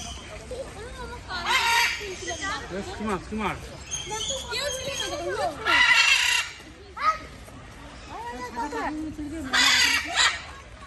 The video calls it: Great Green Macaw